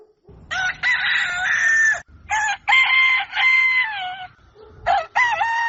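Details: Roosters crowing at dawn, several strained harmonic crows in a row, some long and level, others short, with gaps between and a second bird answering near the end.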